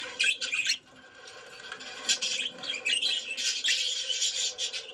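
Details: Budgerigars singing, possibly in a mating context, chatter in a continuous scratchy warble of high, raspy squawks and chirps, with bursts overlapping throughout.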